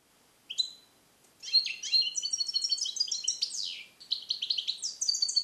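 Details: Song-trained European goldfinch, bred in captivity in 2021, Neapolitan passage style, recorded alone in a carrier; a single chirp, then a long continuous tumbling twitter of high metallic notes with downward sweeps.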